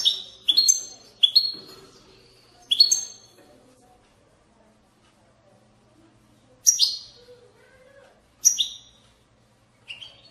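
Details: A European goldfinch in batbata style, meant to prompt goldfinches into song: a quick run of shrill descending chirps at the start, then a long quiet stretch and a few more isolated high twittered notes.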